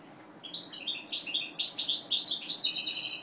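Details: European goldfinch from a captive mutation breeding, delivering a continuous fast run of high, chattering twitters and tinkling notes ending in a buzzy rattle, over a low steady hum.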